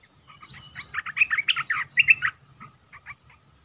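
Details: Red-whiskered bulbul song used as a lure, a caged bird: a burst of rich, bubbly warbled phrases lasting under two seconds, followed by a few short, softer notes over a low background hum.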